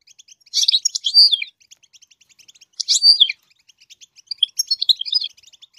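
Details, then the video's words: Goldfinch singing to teach its chicks, delivering three short twittering phrases of about a second each, roughly two seconds apart, with tinkling slurred high notes and faint steady ticking in between. "the goldfinch sings to teach the chicks to song chirp"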